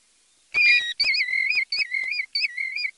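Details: European golden plover: clear, plaintive whistled notes, each held briefly with a slight wavering warble, given in a short series of four after a sharper opening note, in a quiet setting.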